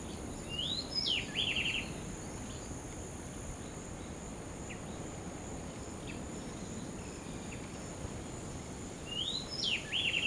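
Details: Least grebe at Posada Granja El Ojito, Falcón, Venezuela, gives a rising whistled note that breaks into a quick rattling trill, twice about eight seconds apart, over a high insect drone and low rumble.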